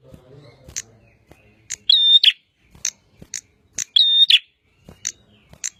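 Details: Bar-winged prinia in energetic song: scattered crisp high ticks, with a twice-repeated loud phrase of a steady flat whistle framed by rasping notes.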